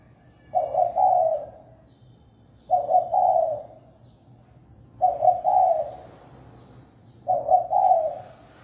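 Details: Spotted dove lure cooing, four phrases each a brief broken coo running into a longer rounded coo, spaced about two seconds apart, over low hum and thin high ringing.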